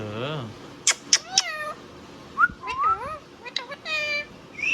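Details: Pet Indian ringneck (rose-ringed) parakeet talking: sharp whistled clicks, then speech-like phrases bending up and down in pitch, some almost meow-like.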